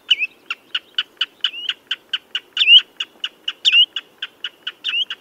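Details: Common redshank giving a fast series of short, sharp piping notes, roughly one per quarter second, broken by a few looping, rising-then-falling whistled slurs; quiet background.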